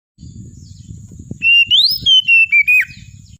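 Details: Oriental magpie-robin (kacer) singing vigorously: after a quiet start, a loud run of clear whistled notes that rise sharply, then slide down in steps through several short, separate phrases over about two seconds.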